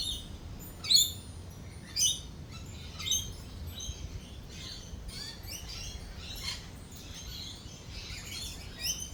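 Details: Lorikeets calling at a cafe during a thunderstorm: sharp, high screeches roughly once a second early on, then softer scattered chatter, with a faint low rumble underneath.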